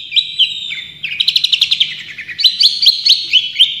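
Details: Long-tailed shrike, a champion caged songbird, singing a full tembakan style song used as a training recording: rapid bursts of sharp, high chattering notes, fast repeated trills and short slurred whistles in quick runs, with a faint low hum beneath.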